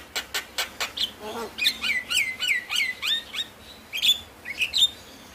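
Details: Javan myna, from a lure recording meant to stimulate lazy or stressed mynas to sing: a run of short sharp chirps, then a series of clear whistled downslurred notes and high chirps, repeated quickly.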